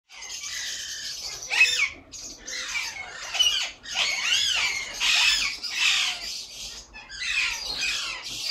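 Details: A breeding pair of three-year-old caged Alexandrine parakeets gives harsh, raspy screeches and squawks in quick, overlapping bursts, some rising and falling, with barely a pause.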